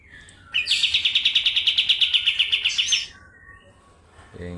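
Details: White-eye (kapas tembak) from Medan in a fast rolling 'ngeroll speed nembak' song style: a rapid trill of sharp, high, even notes lasting about two and a half seconds, then quiet, with a brief low sound at the end.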